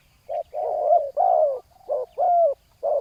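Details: Spotted dove used as a ground-level decoy to lure a wild rival, giving deep, hoarse coos. A short note is followed by long drawn-out phrases, some with a rising bent tone. The phrases are separated by brief pauses.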